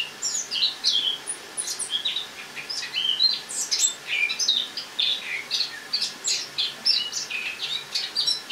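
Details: Autumn song of a captive Eurasian blackcap, brought in from a loggia to overwinter in the kitchen, morning of 1 October 2017: rapid, rambling chatter of short high twittering notes mixed with brief clear whistles.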